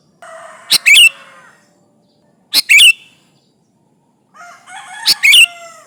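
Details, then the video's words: Sooty-headed bulbul used as a lure, calling rivals with three loud quick phrases of bright slurred notes, each preceded by softer warbling chatter. "Suara burung kutilang gacor memanggil lawan"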